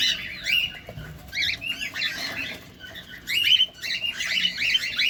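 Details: Cockatiels at feeding chatter in harsh overlapping chirps and squawks, louder toward the end, with quiet rustling and hum behind.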